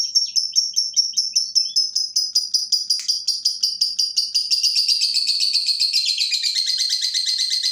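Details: Lovebird lure call meant to trigger other lovebirds into singing: high, sharp chirps repeated rapidly at about two and a half per second, gradually blurring into a dense continuous twitter toward the end.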